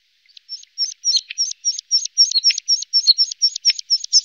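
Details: Red-spotted bluethroat in Norway, one of a breeding pair with young: a steady series of short, high, sharp chirped notes, roughly four per second, with a few lower clicks mixed in, and no other sounds.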